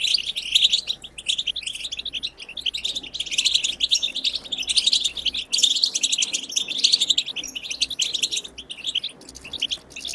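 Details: Goldfinch wild-style twitter song intended to stimulate goldfinches to sing: rapid cascading chirps and trills in long runs, separated by a few short pauses.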